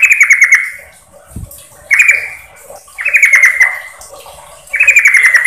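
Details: Lure sound of a female sooty-headed bulbul calling the male: four short, quick-noted stuttering phrases roughly a second apart, each sliding gently downward, with one faint low thump.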